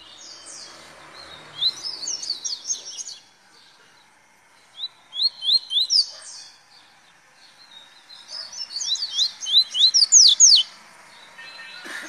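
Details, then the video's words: Double-collared seedeater giving velocista song: three rapid phrases of clear, high, rising whistled notes, each phrase quickening and growing louder, over a soft background hiss. "Papa Capim Velocista"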